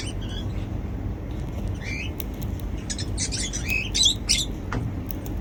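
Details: Happy pet cockatiels feeding on seeds; short rising chirps at first, then a dense run of rapid scratchy calls toward the end, with low room hum throughout.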